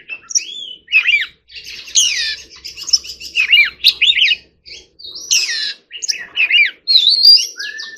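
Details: Oriental magpie-robin, a kept bird in training, singing a varied song of whistled and slurred notes mostly high-pitched, with short phrases separated by brief pauses and some downward-sweeping notes.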